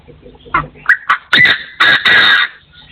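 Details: Crowing partridge, 2024: spaced short harsh notes rising into two sustained loud raspy calls about a second apart, then fading to quiet.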